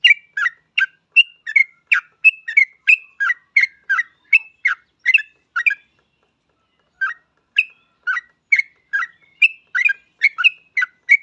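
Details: Yellow-vented bulbul in a strong singing mood, used to coax other bulbuls into song. It pours out a long burst of rapid, bubbling chirps, breaks off for about a second, then resumes just as briskly.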